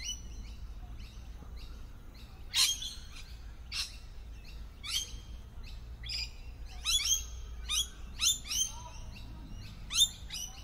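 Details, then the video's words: Several lorikeets, well camouflaged in a tree, give harsh, high screeching calls in irregular overlapping bursts over a low background rumble. "sound of lorikeet"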